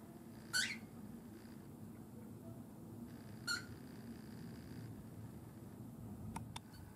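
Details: A pet cockatiel indoors gives a harsh, grating "geh!" call, demanding to step onto its owner's hand; two short rasping calls about three seconds apart over a low room hum.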